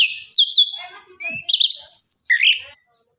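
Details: Orange-headed thrush (anis kembang) song used as a lure to get reluctant birds singing: a loud, varied run of rich whistles and slurred high notes, with rapid rising and falling phrases and a few clicky elements, over about two and a half seconds.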